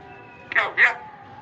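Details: Parrot imitating words, speaking loudly and clearly: two short, bright, voice-like syllables about a quarter second apart, nasal and clipped, over a faint steady hum.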